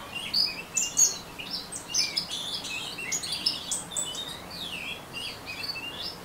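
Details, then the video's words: Ngeriwik singing from an orange-headed thrush: thin, high chips and sharp downslurred whistles in rapid bursts, ending with a few descending slides. "Anis Merah Ngeriwik"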